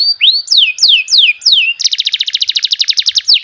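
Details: Canary singing a run of loud swooping whistles that dip and rise, about four per second-and-a-half, followed by a rapid, even, buzzy trill of repeated high notes and a final swoop.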